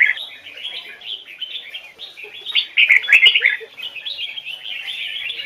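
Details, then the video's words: Standard-voiced double-note song of a Hoài Sơn forest red-whiskered bulbul: steady soft warbling whistles rising into a loud rapid burst around the middle before settling back to gentle chatter. "Chào mào hót giọng chuẩn, âm kép rừng Hoài Sơn"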